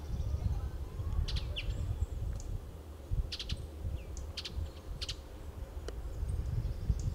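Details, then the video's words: Adult male Western bluebird perched in pine trees in Del Monte Forest, California, giving short sharp chipping calls in scattered pairs and bursts over a steady low rumble of background noise. "The sound of Western Bluebird"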